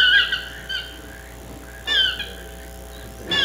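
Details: Chestnut-mandibled toucan giving loud, harmonic yelping calls that slide downward, in two bursts about 1.8 seconds apart, with a third starting at the end over a quiet forest background.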